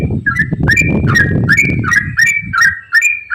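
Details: Yellow-vented bulbul in quick ropel song, played to encourage other bulbuls to sing: rhythmic liquid chirps rising and falling about three times a second, over a low muffled rumbling noise.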